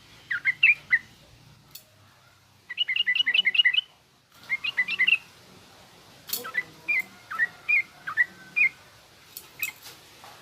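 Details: Yellow-vented bulbul song, garuda and rough ngriwik styles for young bulbuls to learn: several short bursts of clustered quick chirps separated by quiet gaps, followed by slower, well-spaced single whistled notes.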